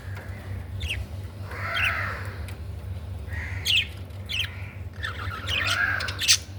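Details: Budgerigar chatter: raspy squawks and bending, warbled notes alternating with thin high chirps, irregularly spaced, over a low droning hum.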